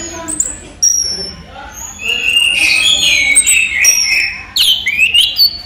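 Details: A kept orange-headed thrush sings by day: sharp clicks and thin high whistles build into long, smooth, sustained whistled phrases, then end in an abrupt burst of scratchy notes.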